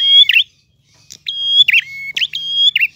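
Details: A prinia sings clearly in the ngalun style. Bright, flat piping notes end in sharp, buzzy downslurs. Three phrases are broken by a short silence, over a faint low hum.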